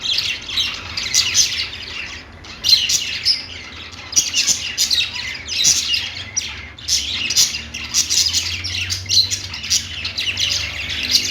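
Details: Budgies warbling on their perch in repeated pulses of scratchy, high chirps, each burst about a second long with short pauses, over a steady faint hum.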